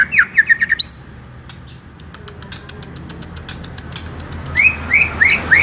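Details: Greater green leafbird, a small-bodied caged bird kept for song training in Indonesia, singing loud varied phrases: quick rising whistled notes, a sharp high buzzy note, a run of clicking ticks, then more rising slurred whistles.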